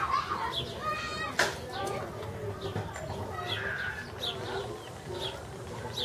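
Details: Young Brahma chickens perched in a tree at Zurich Zoo on 30 July 2013 give soft low clucks and thin, high chirping peeps at an irregular pace, with a brief wing flutter and faint voices behind.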